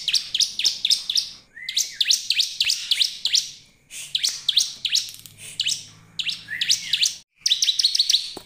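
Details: A bar-winged prinia, in a recording used to provoke other prinias into singing, sings fast, high, sharply rising chirps in rapid bursts of several notes, with brief pauses between phrases; no other sounds.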